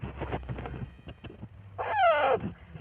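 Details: In the morning at a home, a baby parakeet that is being hand-fed gives a single harsh, wavering squawk about half a second long, falling in pitch, after a stretch of nearby human talk and handling noise; Parakeet.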